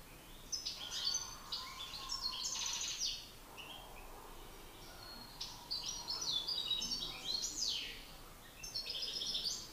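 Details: Two male European goldfinches dueling in song, an experienced master and an agitated rival: continuous high twittering with buzzy, slurred notes and tinkling trills rising and falling, almost without pause.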